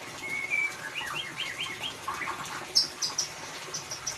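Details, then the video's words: White-rumped shama song, ngeriwik style, played as a lure for a mute bird: a run of quick rising whistled notes repeated about four times a second, then sharp piercing high chirps near the end. "Suara Murai Batu Ngeriwik Untuk Pancingan"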